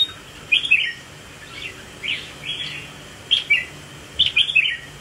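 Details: Red-whiskered bulbul swaying as it displays. It delivers a run of bright, slurred whistled phrases, roughly one every second, with some notes sharper and louder than others.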